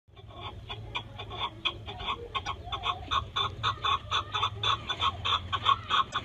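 A chukar partridge gives a rapid run of harsh clucking chuck notes, about four per second, growing louder, over a low steady background hum.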